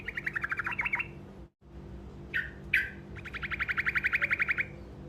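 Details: Short song roll of an olive-backed tailorbird (truco), used to draw replies from other birds: a quick series of ringing chips, a pause, two sharp calls, then a longer even trill of repeated notes, with a faint background hum.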